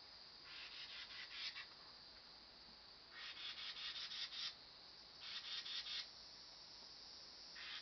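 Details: Carolina wren fussing: harsh, buzzy scolding rattles, each about a second long, in four bursts roughly every two seconds over a quiet background hiss.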